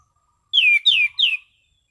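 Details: Relaxed ngeplong song of an orange-sided thrush in prime condition, clear and soothing: a phrase of three bright, downward-slurred whistles, evenly spaced about a third of a second apart, with quiet surroundings.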